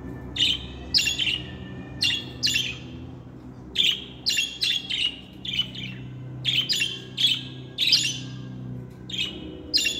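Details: Singing budgerigar kept as a pet: a series of short, scratchy, chirping bursts, single or in quick pairs, spaced irregularly about one to two seconds apart over a steady low room hum.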